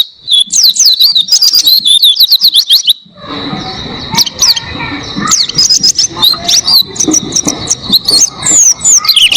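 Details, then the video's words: Oriental white-eye tutor song for cage-bird training, opening with a rapid string of high thin downslurs, then a noisy lull with scattered chirps before energetic twittering returns. "Masteran Pleci Gacor Buka Paruh Durasi Panjang Suara Jernih"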